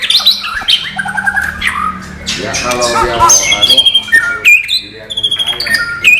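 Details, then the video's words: Energetic white-rumped shama song that mixes high piercing whistles, a rapid rattling trill and scratchy squawks, with abrupt changes of pitch from phrase to phrase. "MATERI BURUNG MURAI BATU NON GELEMBUNG"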